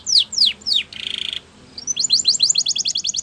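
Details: Spanish Timbrado canary song used to train canaries: three slurred downward sweeps, a short buzzy trill, a pause, then a fast series of bright rising notes.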